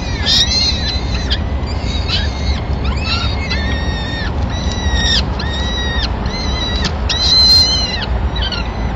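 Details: At a Madrid peregrine falcon nest on 26 April 2016, the male delivers the day's first food, a small bird, to feed all the chicks. Rapid, evenly spaced, hoarse, harmonic calls repeat about twice a second over constant low noise.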